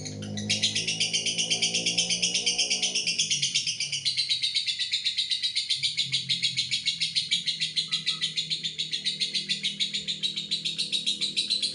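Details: Lovebird giving a long ngekek trill: a continuous rapid, high, buzzy chatter sustained for over eleven seconds, pulsing steadily, with faint low background sounds.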